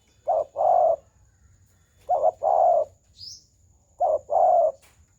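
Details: Spotted dove delivering its round coo (gù tròn) three times at about two-second intervals. Each coo is a quick double note, then a sustained warm low note. One short high rising chirp and a faint constant high tone are also heard.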